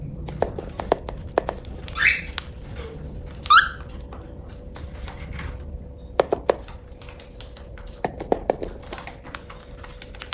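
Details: Pet cockatiel calling while it eats: two brief upward-sweeping squeaky notes about a second and a half apart, surrounded by scattered tapping and nibbling clicks and a faint steady hum.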